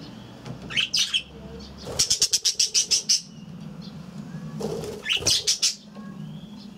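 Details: Budgerigars kept in an aviary: a run of rapid wingbeats is heard alongside high, scratchy chirps, then another burst of bright chirping notes over a low background hum.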